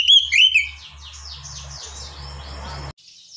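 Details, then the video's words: Oriental magpie-robin (kacer) song: two loud, bright whistled notes open, then a run of softer, quick repeated chirps over a low steady hum before a sudden cutoff. "TERAPI KACER MENTAL NGEDON"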